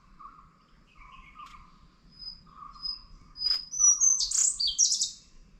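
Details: Indian blue robin calling at Nandi Hills, in view after playback was switched off: thin high whistled notes, then a sudden loud burst of rapid high chattering notes, with faint lower steady whistles from other birds beforehand.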